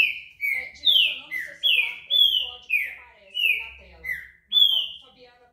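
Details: Green-winged saltator (Saltator similis), described as a great repeater, sings a loud, rich run of slurred whistles, each note sliding down in pitch, about ten notes in five seconds with little else heard.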